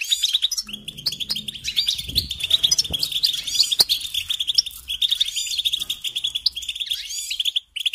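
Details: European goldfinch, a trained songbird, singing an unbroken run of high chattering chirps and liquid trills, with some faint low rustling underneath.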